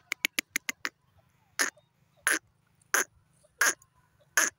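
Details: Francolin (teetar), described as a pair, giving five quick clicking notes, then a series of loud, harsh, grating calls repeated roughly every three-quarters of a second over a low background hum.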